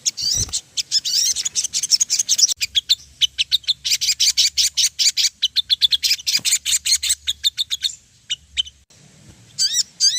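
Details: Ruby-throated bulbul song used as a lure to get birds singing: dense run of quick sharp chirps for about eight seconds with a faint low hum beneath, then a pause and a few upslurred whistles.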